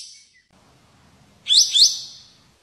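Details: White-shouldered triller, or kapas tembak, with a 'tembakan' phrase: a faint buzzy fade, a short quiet gap, then one loud doubled rising burst.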